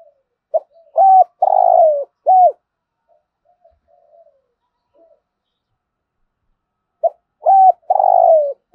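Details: Spotted dove cooing in the 'thúc gù' manner: one full phrase of a clipped note, arched coo, long rough downward slur and final coo, then faint quiet notes and the start of a second phrase.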